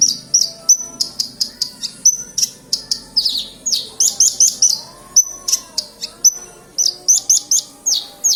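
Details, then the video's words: Black-winged myna in full song, pouring out a dense run of high, sharp chirps and clipped whistles with brief pauses, plus a faint lower tone drifting underneath. "Branjagan gacor"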